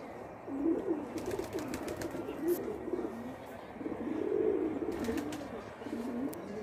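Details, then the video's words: Indian pigeons playing: continuous low rolling coos that rise and fall, with a few faint clicks in the background. "मस्ती करता हुआ कबूतर | masti krta huwa kabootar | Indian pigeons"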